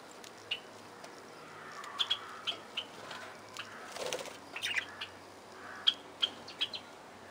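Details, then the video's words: Widely spaced, sharp high chirps from parakeets in an aviary, some in quick doublets, with a brief soft rustling flutter near the middle. "Parkieten geluiden – Parakeet sounds – Lovebird sounds – Budgie sounds – Budgerigar sounds"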